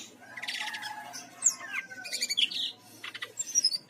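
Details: Bali brown-chested jungle flycatcher singing, used as a lure to make birds sing: a jumble of quick high chips, sharp down-slurred whistles and buzzy rattling phrases, growing busier toward the end, with faint low background hum.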